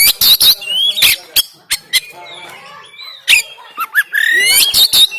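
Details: Oriental magpie-robin song recorded by phone in Banten, used to push a reluctant caged bird to sing: sharp clicking bursts alternate with gliding whistles and a long rising slur near the end.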